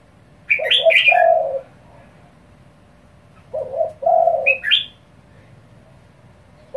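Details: Spotted dove calling fast and urgently to provoke other doves: low hollow coos in two-part phrases, each a short double note then a longer one, repeated about every three seconds, with bright high chirps over them.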